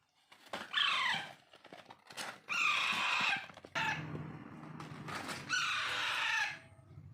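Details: Begging cries from hand-tamed Alexandrine parakeet (Raw or Pahadi parrot) chicks at daily hand-feeding: three coarse, rasping, harmonic squawks come roughly two seconds apart over a low rumbling background with scattered clicks.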